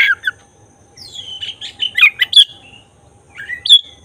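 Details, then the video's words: Oriental magpie-robin of the black-breasted form, singing to provoke emotion and tail opening: short whistled notes, a long descending slur, clipped sharp chirps, then a pause before a final rising whistle. "Suara khas pancingan agar emosi buka ekor burung kacer dada hitam gacor"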